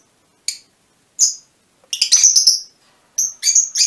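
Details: Mutation Fischer's lovebirds giving sharp, shrill chirps, first as single notes spaced about half a second apart, then in quick clustered bursts of high squeaky notes with short pauses between groups.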